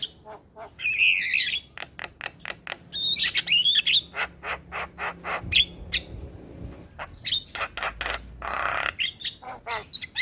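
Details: Actively singing Javan myna used as a tutor for other mynas: dense chatter of dry clicks and harsh bursts with a few bright upslurred whistles, one long scratchy rasp near the end.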